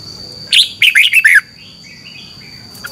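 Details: Red-whiskered bulbul singing its competition song in the morning, meant to excite other birds: a quick run of five bright, slurred whistled notes, then faint softer warbles, against a steady high hum.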